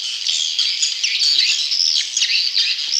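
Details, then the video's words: Swiftlet chicks calling, played to attract wild young swiftlets; high, hoarse squeaky chirps with sharp falling and rising strokes, crowded together in a rapid, continuous stream. "Suara Walet Anakan Super"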